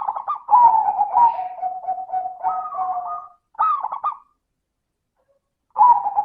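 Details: Zebra dove, a local perkutut singing in the crisp 'suara kristal' style, played as a lure to get other doves singing: a long rolling, bubbly cooing phrase of about three seconds, a short burst, then another phrase beginning.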